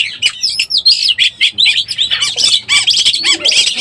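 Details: Oriental magpie-robin in breeding condition, a lure recording used to attract others: rapid, varied chattering phrases of sweet whistles, harsh notes and trills, packed densely with barely a pause.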